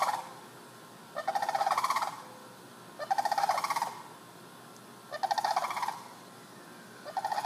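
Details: Rolling, purring rattle calls from sandhill cranes near a house, recorded from a window: four bursts in seven seconds, each a coarse vibrating trill of under a second, steady spacing, little else audible.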